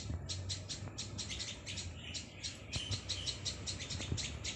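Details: Plaintive cuckoo chick (Thai: ลูกนกอีว๊าบตั๊กแตน) giving rapid high-pitched chipping notes in quick pulsed bursts, repeated steadily throughout, over a low rumbling background hum.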